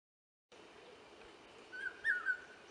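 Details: A common hawk-cuckoo (brainfever bird) calls in forest near Indore, Madhya Pradesh, in summer before the monsoon, giving a quick, shrill whistled phrase of about three notes, the middle one loudest, over steady hiss.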